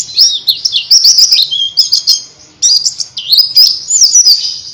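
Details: Oriental white-eye singing a rapid, high, thin twittering warble in two long bursts with a brief pause, used as a lure song to prompt silent lovebirds to sing.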